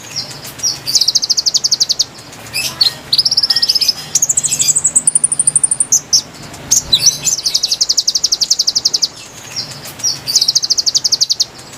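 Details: Konin lure song for wild birds: repeated bursts of fast, very high ticking trills, some climbing to higher pitches, separated by sharp chips and short pauses, faint hum beneath.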